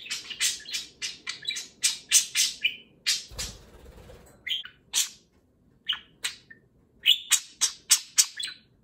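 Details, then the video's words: Pet budgerigar talking loudly one morning while a second budgie grooms it, the pair being affectionate; rapid bursts of high scratchy chirps and warbled syllables, many per second, broken by short pauses and a brief low rumble. "Pixel the parakeet talks while Kiwi grooms"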